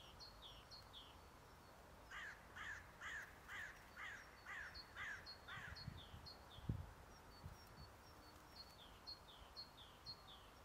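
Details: A common blackbird gives a run of about eight harsh, clucking chack notes, two per second, with thin high ticking notes before and after over low background rumble; Žale cemetery, Ljubljana, Slovenia, 18 February 2024.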